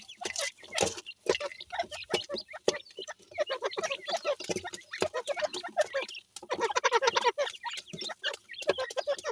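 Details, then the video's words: Playing Dakhni teetar partridge chicks. Scattered chirps give way to a dense run of low, clucking notes near the end, over continual tapping and clicking. "dakhni teetar k chozay,pheasant chicks play time"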